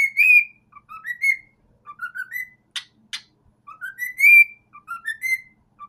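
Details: Cockatiel singing to a sock, whistling a repeated tune of short rising notes that climb in steps to a bright peak.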